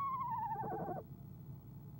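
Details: Female eastern screech owl at a nest box in the evening before leaving, giving a descending whinny that breaks into a short wavering trill lasting about a second, with low background hum.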